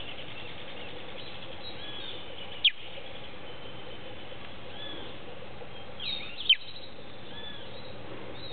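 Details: Recently fledged Creamy-bellied thrush hidden among hedge branches in the late afternoon, seemingly calling its family, gives two piercing, high, descending chirps roughly four seconds apart; soft whistles of other birds in the background.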